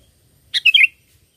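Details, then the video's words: Sooty-headed bulbul singing as a bird-catching lure. It gives one quick, bubbly phrase of three or four liquid, warbling notes against a quiet background. "Pikat Burung Kutilang ISTIMEWA"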